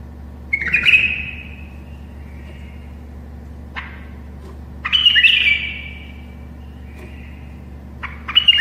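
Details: Tame bulbul singing to help other bulbuls learn to sing: three harsh, squawky bursts with buzzy tails that slide down, spaced about four seconds apart, a faint click between them, over a steady low hum.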